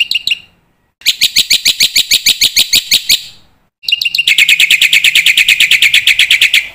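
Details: Black-winged myna master song used to teach young mynas: rapid, steady strings of bright, ringing notes about two per second, in two long bursts split by a short pause.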